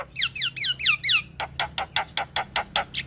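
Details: Starling song used to coax silent caged birds into singing: five clear down-slurred whistles in quick series, then a steady string of about eight harsh, evenly spaced chattering notes.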